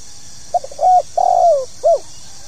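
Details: Spotted dove giving a calling coo in the pokal tanggung style, meant to get new birds singing: one phrase of a short soft note, a level coo, a longer falling coo and a brief closing note, low and mellow over faint hiss.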